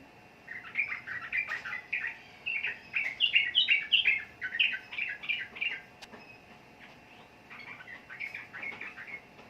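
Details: Trucukan, or sooty-headed bulbul, produces a long, quickly repeated series of clipped, rising and falling chirps, loudest in the middle, fading to softer notes toward the end.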